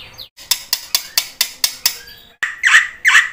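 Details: Black-winged myna song, played to get silent mynas singing: a series of dry, clicking notes about five per second, followed by two louder, rasping squawks.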